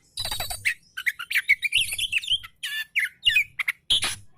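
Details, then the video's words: Relaxed oriental magpie-robin song, used as tutor material for reluctant singers: a dense, continuous run of varied chirps, sharp whistles and buzzy notes, mostly high-pitched, with brief pauses between bursts. "KICAU KACER SANTAI COCOK BUAT MASTERAN KACER MALAS BUNYI"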